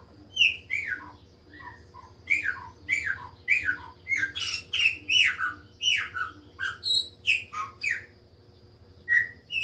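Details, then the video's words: Chopi blackbird in lively song, a rapid run of loud, varied downslurred whistles and chirps, several each second, with short pauses between bursts and a faint hum behind. "LINDO CANTO DE PÁSSARO PRETO OU GRAÚNA/CLAÚNA"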